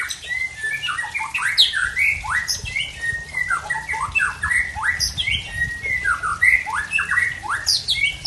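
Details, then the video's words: White-rumped shama, Tangse variety from Aceh, unloading a peculiar mimicked fill-in song: fast repeated downward-swept whistles and harsh squeaky notes in quick bursts, loud and dense throughout. "Murai Tangse Aceh Bongkar Isian Aneh"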